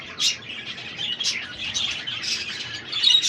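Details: Exhibition budgerigars in a breeding room in Karachi, kept in cages with chicks and nest boxes: dense continuous chirping and warbling chatter from many birds, with sharper high chirps rising above the blur.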